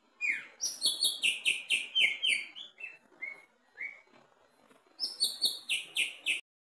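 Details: Greater green leafbird singing from the cage floor in a mental test, pouring out rapid bright chips about four per second, a few lone whistled slurs, then another fast chip series.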